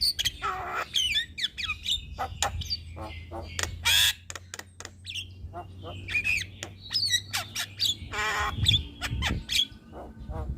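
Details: Javan myna singing, said to call day and night and intended as a master recording for other birds: a varied jumble of squawks, clicks and whistled notes with a broad harsh burst near the middle, in an indoor-sounding space.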